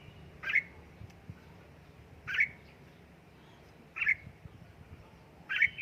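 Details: Red-whiskered bulbul being trained at home, giving short sharp chirps repeated about every one and a half to two seconds, with low background rumble.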